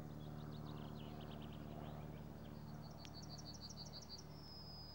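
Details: A Yellowhammer singing on a tree branch in a forest gives a quick run of repeated high, dry notes ending in a long, thin, drawn-out note, over a steady low rumble of distant traffic, then flies off.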